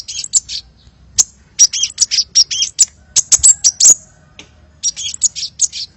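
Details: Hummingbird, lively lure call: short trills of high chirping notes coming in uneven groups, separated by brief pauses.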